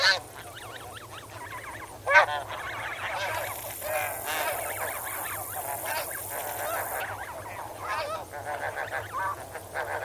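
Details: Snow goose flock calling while swimming and wading in water: a continuous wash of many overlapping nasal yelps and honks, one loud honk standing out, with a steady high cricket trill for several seconds.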